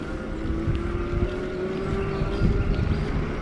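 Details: A steady low motor drone with wind rumble and a faint tonal whine, with no animal calls.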